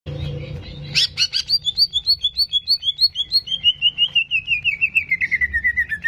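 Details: Greater green leafbird song played as a quick provoking recording to raise a bird's aggression: after a few harsh chips, clear whistled notes repeat about three per second and gradually slide lower in pitch, with a low background hum.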